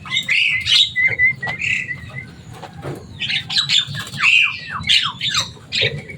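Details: Javan myna, a kept bird described as loud, noisy and able to imitate human speech, giving a busy run of harsh squawks, short whistles and slurred descending notes with almost no pause, over a low steady hum.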